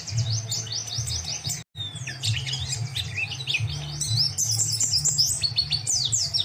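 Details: Lively white-eye singing meant for tutoring other cage birds: rapid high twitters, short downslurred whistles and bursts of chirping notes pour out continuously. A constant low droning hum sits under the birdsong, broken by a short silence near the start.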